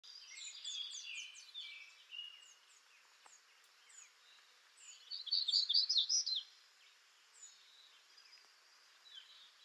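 Black-throated gray warbler singing high, buzzy phrases, two bursts a few seconds apart, the second loudest, with faint chirps from other small birds behind.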